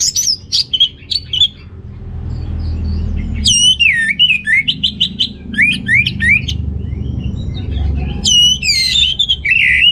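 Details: Orange-headed thrush singing richly to rouse males short of breeding drive: bright varied phrases of upslurred whistles, quick trills and sharp chips in bursts with brief pauses, some mimic-like notes; faint low rumble.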